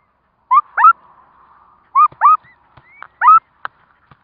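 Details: Curlew at a nest where four chicks are hatching: three loud, short upswept calls in a row, each a quick paired yelp, with thin high peeping notes between them and soft ticks.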